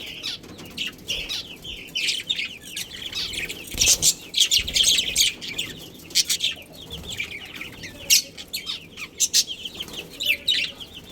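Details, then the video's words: A colony of budgerigars with a breeding pair fills the air with continuous chirping, busy warbles and rasping squawks overlapping, growing louder toward the middle. "Cute Budgies Chirping Sounds"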